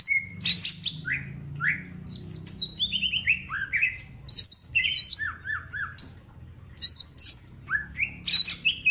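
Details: Mini green leafbird singing a full 'tembakan' master song: a rich string of high whistled, slurred notes, many falling in pitch, some bright upward flicks, delivered in quick bursts over a faint low hum.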